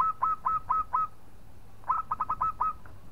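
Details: Local zebra dove in Indonesia singing to provoke a rival: two bursts of rapid, bubbly cooing notes, each a short rolling trill of repeated soft whistled coos, with a pause between bursts.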